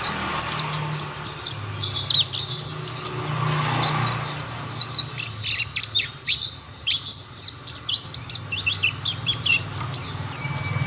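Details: Group singing of mountain white-eyes, one bird quickly prompting others to join: continuous high, thin, rapid twittering with many overlapping chirps, over a faint low rumble.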